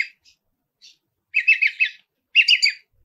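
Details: Long-tailed shrike in energetic song full of imitated phrases: a few faint short notes, then two loud bursts of rapid, scratchy warbling a second apart.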